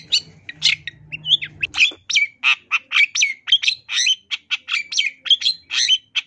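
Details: Energetic long-tailed shrike 'isian tambakan' song for training birds: a fast run of scratchy, buzzy notes mixed with clear whistles and mimicked chirps, delivered nearly continuously, with a faint low hum at the start.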